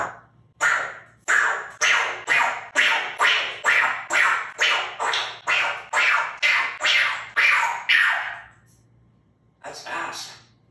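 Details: Apollo, a 2-year-old pet African grey parrot raised as a talking bird, gives a rapid run of about fifteen harsh, hissing bursts, roughly two per second, then a short pause and one more burst.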